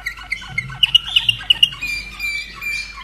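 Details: Common nightingale hatched in 2011 and kept caged in Austria sings a brief phrase of sharp, evenly spaced chirping notes followed by thinner high whistles. A faint low hum runs beneath.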